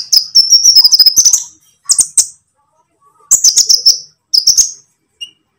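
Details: Konin lovebird, 'ijoan' or 'trotol' style, on a training lure recording: shrill rapid twittering in bursts, a long buzzy trill first, then shorter chattering phrases separated by pauses.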